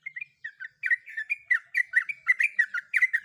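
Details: Female sooty-headed bulbul in breeding condition calling to a male: a run of short bubbly chirps around mid pitch, starting sparse and then repeated quickly, about three notes a second, with a faint buzzy edge on each.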